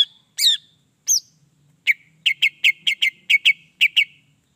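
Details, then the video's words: Greater green leafbird song used to excite other birds: opening swooping, warbled whistles followed by a fast series of crisp repeated chip notes with a faint low hum underneath. "PENDONGKRAK EMOSI CUCAK IJO JADI GACOR"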